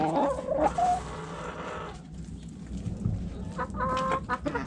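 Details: Backyard coop chickens: a hen gives a rising, drawn-out harmonic call, followed by quieter murmuring and a few sharp clucks near the end.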